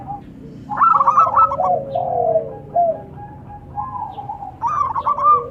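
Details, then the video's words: Local zebra doves calling and answering, male and female: rippling bursts of quick coos at the start and end, interleaved with lower, drawn-out gliding tones in the middle, over a faint steady hum. "Suara perkutut lokal saling sahut."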